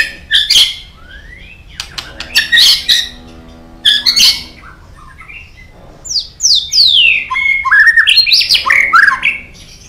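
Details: White-rumped shama singing strongly, used to prompt other birds: harsh chattering bursts and clicks followed by a rapid run of loud, sweeping whistles sliding up and down, with a faint steady hum behind.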